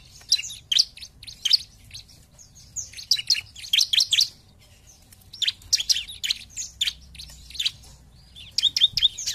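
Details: Lively song of a bar-winged prinia used as a provoking lure: tight bursts of piercing high chirps in rapid runs, separated by short pauses, over a quiet low background.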